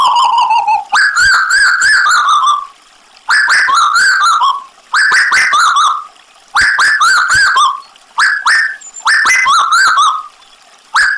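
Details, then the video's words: Tuwu bird in full gacor voice, set against trickling water. It opens with a steady mid-pitched whistle, then gives six separate bursts of bright, wavering, downslurred whistles spaced about a second and a half apart. "Tuwu Gacor Audio - Tembakan Lampiran Burung Tuwu Gacor Sadis"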